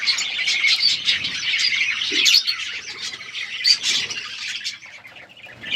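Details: Budgies chirping in an outdoor aviary, said to be wild: a steady wall of high, quick twittering and warbled notes from many birds, with a few sharper squeaks standing out.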